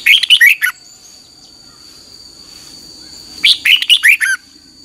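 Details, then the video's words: Red-whiskered bulbul morning song used for training, 2021: two lively phrases of five to six chirpy, warbling notes, the first at the start and the second after nearly three quiet seconds, over a thin continuous high hum. "Luyện chào mào hót sáng 2021"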